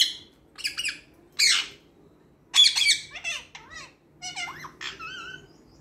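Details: Green parrot kept indoors, mimicking speech: a string of shrill squawks followed by lilting, wavering speech-like syllables and gliding whistled tones, with short pauses between phrases.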